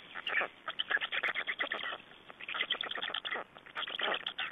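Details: At a black stork nest in Estonia, 3 June 2011, during a changeover and feeding, dense rattling, wheezy pulses come almost without pause. They swell and fade in short waves across the few seconds.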